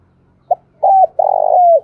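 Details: Spotted dove in Đồng Nai forest, Vietnam, delivering one clear phrase: a short soft note, a level coo, then a long vibrating coo that slides down at the end.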